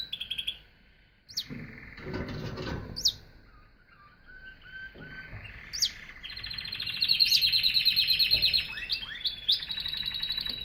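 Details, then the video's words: Canary sings scattered high chirps and low soft notes, building into a loud rapid rolling trill before ending with rising whistles. "Singing Canary"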